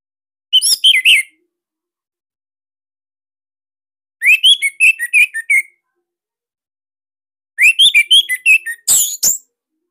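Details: Caged Bali orange-headed thrush singing loud, tight 'tembakan sirtu' phrases meant to train other thrushes: three short bursts of quick whistled and chattered notes, evenly spaced, ending in a harsh broadband burst.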